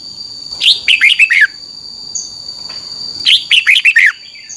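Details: Red-whiskered bulbul in the doubled 'beun' song style for caged-bird training: two matching phrases of five rapid, descending whistles, about two and a half seconds apart, above a constant faint high-pitched whine.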